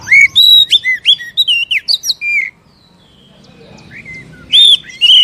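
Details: Oriental magpie-robin song played to spur a caged bird into singing: a quick run of loud, clear whistled notes and slurred phrases, a pause of about two seconds, then more bright whistled notes.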